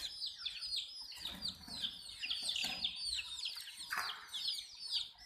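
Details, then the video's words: Chicks peeping while drinking water: many rapid, high falling chirps layered together, with a few low thuds and a brief harsher burst near the four-second mark. "Baby "CHICKS CHIRPING" Sound"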